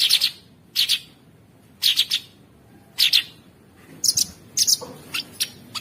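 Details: Sooty-headed bulbul song as training audio for songbirds, rough and nonstop in style: short paired high chirps repeated roughly once a second, with quicker double notes toward the end against a quiet background.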